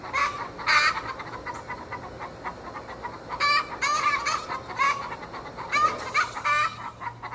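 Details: Several 20-week-old Australorps making a backyard fuss with the egg song before they have started laying: overlapping raspy cackles and sharp squawks in clustered bursts, with quieter clucking between and a faint low hum.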